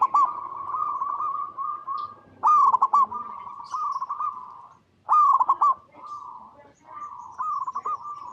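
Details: Zebra dove, a local strain, cooing in a recording used to prompt other zebra doves to sing. Loud, stuttering rolled coos near one pitch come in bursts, with softer, steadier trilled coos between them.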